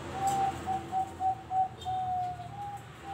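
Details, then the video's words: Zebra dove kept as a contest bird with regional and national nominations: a rapid series of clear, even-pitched coo notes, about eight in three seconds, over faint background noise. "SUARA PERKUTUT DIAGUNG"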